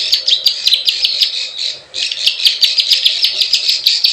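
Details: Plain prinia lure sound, 'klik klik ciwah' type for pulling in wild birds: quick buzzy chips in a rapid run, a short fading gap, then another run of chips with sharp clicks.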